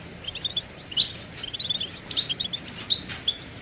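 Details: Goldfinch singing a quick run of liquid twittering notes and short chirps, high-pitched, over faint background noise.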